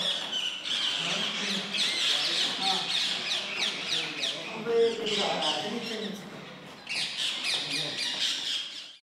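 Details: Rose-ringed parakeet chick fed by a male, giving rapid grating squawks repeated several times a second in long runs, a short lull, then another harsh burst.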